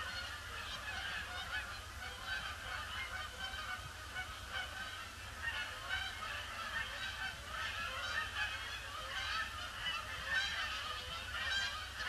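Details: An unending stream of Canada geese circles the pond before settling, grey Boxing Day; a sustained chorus of many honking birds, calls overlapping densely for the whole stretch, with a constant low rumble underneath.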